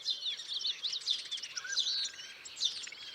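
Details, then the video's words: Starlings chirping in a natural setting; a continuous busy chorus of high squeaky whistles, rattles and slurred notes from several birds, with one lower whistled note near the middle. "Starlings chirping"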